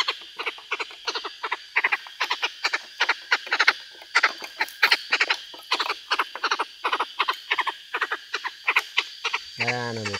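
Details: A captive Chinese francolin kept as a decoy bird gives a long run of loud, harsh, grating notes in quick rhythmic bursts. A man's voice starts speaking at the very end.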